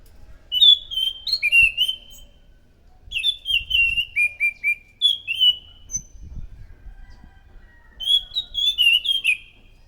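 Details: Energetic scaly thrush song for luring thrushes: three separate bursts of descending, slurred whistled phrases, each a cascade of short warbles, with quiet gaps and light low rumbling between.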